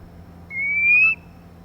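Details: Female white-rumped shama, used to stimulate males: one pure whistled note, held for over half a second and rising slowly in pitch, loud and clean above a quiet hum.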